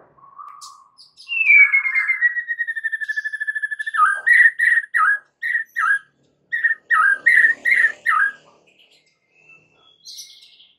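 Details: White-rumped shama song played as a lure to draw other shamas into singing: a long sustained whistle glides down, then quick repeated rich notes in bursts, with brief pauses between groups and a faint rustle at the end.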